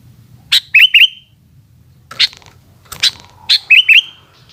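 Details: Sooty-headed bulbul in afternoon song, giving paired bubbly whistled notes that rise and dip, preceded by sharp harsh chips, repeated twice within a few seconds over faint low hum.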